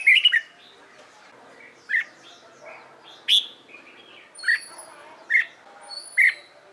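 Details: Red-whiskered bulbul being trained for competition singing: short bright whistled phrases and chirps, each note sweeping up sharply, delivered in separate bursts about one second apart, with faint background hum.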